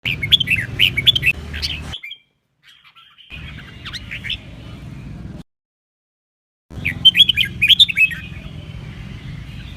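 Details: Red-whiskered bulbul duet used to stimulate birds to sing and compete; bright warbled phrases of short rising and falling whistles near the start and end, separated by silent gaps, over a low steady hum.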